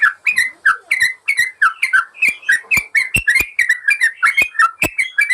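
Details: Yellow-vented bulbul song meant to train caged birds and build their confidence: rhythmic, rolling chatter of bright slurred notes, evenly paced, with a few sharp clicking sounds mixed in.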